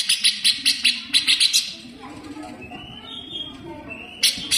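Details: Harsh, sharp besetan of a cage grey-cheeked bulbul, a master song for training greater green leafbirds: two quick runs of about five rasping notes each, a quieter thin whistled tone, then two more rasps.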